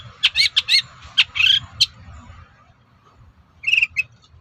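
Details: Amid a faint noisy background, a long-tailed shrike gives bursts of loud, scratchy chattering notes, then after a pause two buzzy calls; song intended to provoke other shrikes into replying.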